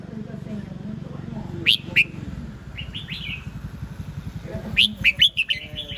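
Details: Red-whiskered bulbul giving short bursts of bright, liquid, slurred whistles, some rising and some falling, in two separate phrases, over a low engine rumble and faint voices.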